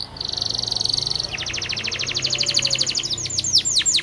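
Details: Local canary song used to teach young canaries: a steady high whistled tone, then a fast even trill that slows into falling slurred whistles, with low background hum.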